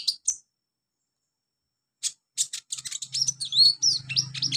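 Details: Olive-backed sunbird song for training young birds: a few isolated high chirps, then a quick run of sharp notes and rising, slurred whistles over a low hum.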